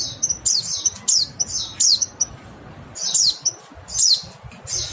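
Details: Shrill, descending chirps of a mountain white-eye in a short burst, about one or two notes each second, over low steady hiss.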